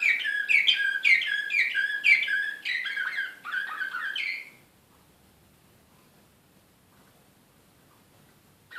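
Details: Excited canary performing Serbian slavujar song, Belgrade, 2016: a rhythmic sequence of bright chirped notes repeated nearly twice a second for over four seconds, then sudden silence.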